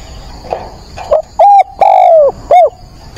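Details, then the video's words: Decoy spotted dove calling at dawn to provoke and train wild doves: soft low notes, then three loud mellow coos, one drawn out and slightly falling, the others short and clipped, against faint background hiss. "Cu mồi gáy gọi"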